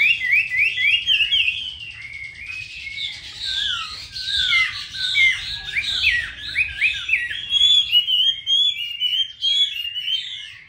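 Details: Chinese hwamei singing a rich, fast, varied song of slurred whistles and quick warbled phrases, tumbling up and down without pause for about ten seconds, with a faint low hum beneath.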